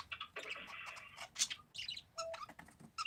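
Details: Parakeets warbling: a sustained buzzy whistled note, then a jumble of quick squeaky chirps, scratchy trills and short pure whistles tumbling in an irregular stream.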